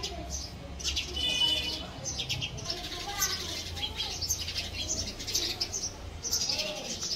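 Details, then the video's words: House sparrows fighting over a nest inside a house; dense overlapping high chirps and twittering with some buzzy notes and a low hum beneath. "House Sparrow Making Nest in House - Sparrow Bird Fighting For Nest"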